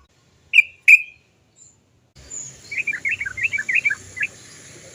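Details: Yellow-vented bulbul lure audio: two sharp single 'cok' notes, then after a cut a rolling, bubbly string of quick warbled chirps over a steady hiss.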